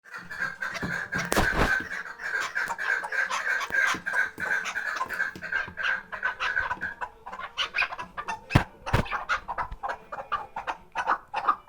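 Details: Tethered hunting chukar partridge from the Khoja Mumin salt mountain area, calling in a steady series of rough, clucking notes about two per second. Sharp knocks and handling clatter break in near the start and again later.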